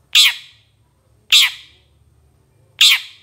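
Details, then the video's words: Training master of a long-tailed shrike: three loud, rough, rasping calls, each harsh and broad, about one and a quarter seconds apart, with quiet gaps between them. "Masteran Suara Cendet"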